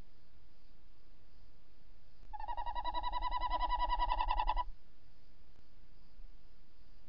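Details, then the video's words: Female tawny owl in the entrance of the nest, with the male calling outside, before dawn on 28 December 2018: a loud vibrating trill of evenly spaced pulses, rising in volume for about two seconds, with quiet background. "Bosuil, V roept in vlieggat/op de cam, M roept buiten"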